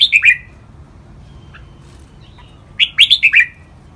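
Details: Red-whiskered bulbul song used as training audio, in the styles called len rik, boen and lak wai: a bright, quick phrase of four or five whistled, slurred notes, repeated after a pause of about two and a half seconds.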